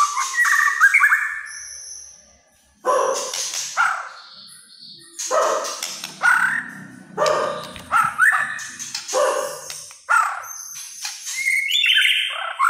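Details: White-rumped shama singing kretekan style, said to agitate other shamas: a long run of varied phrases in separate bursts, mixing slurred whistles, rasping notes and sharp high chips, with short gaps between.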